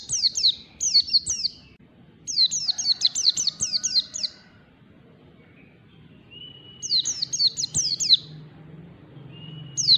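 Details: White-eye in long standard ngalas song while learning: repeated bursts of high, bright, steeply falling notes, several per second, separated by pauses with thin level whistles and a soft low hum.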